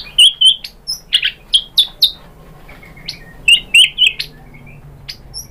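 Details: White-rumped shama song used to trigger singing: short sharp high chips and clipped whistles, given in small bursts with brief pauses.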